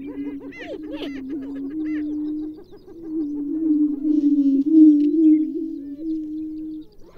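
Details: Greater prairie chicken, a stocky chicken-like grouse, giving a steady low droning hoot with wavering, overlapping moans and brief higher cackling notes in the first two seconds.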